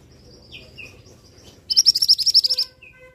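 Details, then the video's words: Male scarlet minivet calling: one rapid burst of about a dozen high, sharp notes lasting about a second. Fainter, thinner bird notes come before and after it over a quiet background. "'Teriakan' Burung Mantenan Jantan"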